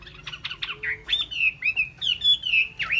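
A Chinese hwamei sings a rich, varied run of clear whistles and quick chirps, sliding notes rising and falling several times a second, with faint low background hum.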